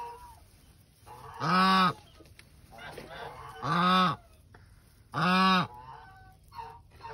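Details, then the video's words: Goose brooding eggs utters three loud, drawn-out, nasal honks about two seconds apart, with quieter murmurs between them and steady low background noise. "Geese ក្ងានក្រាបពង"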